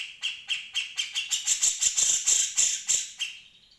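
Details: Grey-cheeked Bulbul singing a quick series of bright chirped notes, roughly three per second, rising in loudness and ending in a thin fading trill; a tutor recording for other songbirds.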